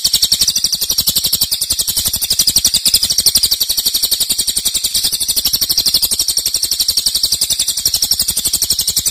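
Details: Cililin singing loudly in long bursts, used as a master recording for training songbirds: a continuous, rapid, high buzzy trill of evenly pulsed notes, about ten per second, steady throughout.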